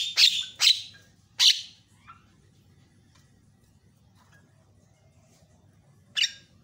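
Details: Javan myna with a lively, varied voice, recorded to train and provoke other mynas: three loud harsh, scratchy notes in quick succession, a faint note, a long pause, then one more rasping call.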